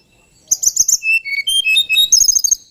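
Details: Male White-browed Shortwing delivering a short, dense phrase of very high twittering chips mixed with brief level whistles, fast and continuous for about two seconds.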